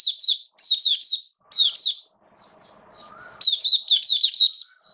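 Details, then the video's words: Caged Oriental white-eye in wet rainy weather, 8 October 2022, giving quick clusters of high, bright, slurred twittering notes, with a pause of faint rustling midway before a longer run of sweet warbled phrases. "Mata Puteh Buka Sing"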